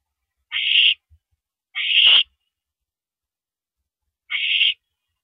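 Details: At an evening mouse delivery on April 13, 2012, an owl gives three rasping, breathy screeches, two close together and a third after a two-second pause, in an otherwise silent setting.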